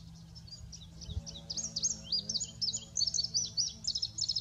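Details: Male indigo bunting singing a run of high, sharp paired notes, each pair slurring up or down. The notes build to a quick doubled finish. A low hum lies beneath.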